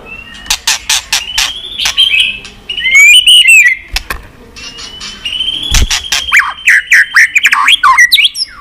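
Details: Varied song of a White-rumped shama, used to stimulate birds: long high whistles and sweeping slurred notes, mixed with sharp clicks and snapping sounds, with a quieter pause in the middle.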